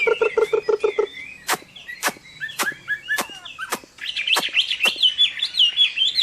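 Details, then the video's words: Chinese hwamei in fighting song at summer midday; it opens with a short burst of low, pulsed notes, then comes a series of loud sharp clicks between brief whistles, ending in a bright, rapid, wavering warble. "HỌA MI CHIẾN HÓT TRƯA HÈ"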